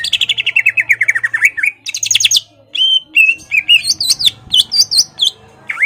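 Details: Greater green leafbird in full song aimed at stirring a rival to fight; a fast descending trill of rapid notes, a high buzzy rattle, then varied loud whistles and sharp up-down phrases, with a faint low hum.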